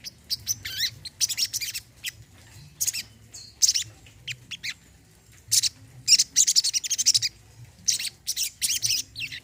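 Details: High twittering song of a brown-throated sunbird, used as therapy for birds that no longer sing: quick groups of sharp chirps and buzzy trills separated by brief silences, over a soft low background hum.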